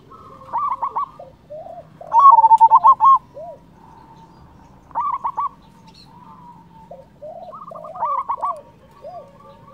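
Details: Local zebra dove with a powerful voice, played to make rival doves answer and to lift their breeding mood. Gives fast pulsing coo bursts, strongest around two seconds in, mixed with softer curved notes and quiet stretches.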